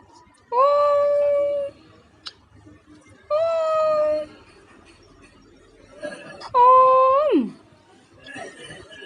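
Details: Parrot talking to its owner at home: three drawn-out nasal calls, the first two steady and the last sliding sharply downward at its end, with soft clicks between.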